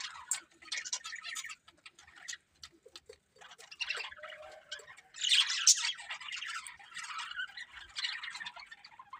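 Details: Pet budgerigars chirping in a busy, scratchy chatter of high notes, with short clicks and bursts between quieter pauses.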